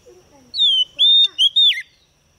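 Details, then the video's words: White-rumped shama female kept as a lure to trigger male singing: a smooth falling whistle, then a sustained level note and two short whistles closing with a downward twist; faint low murmur behind. "Choè than mái mồi hót kích chim nhanh hót nhanh căng lửa"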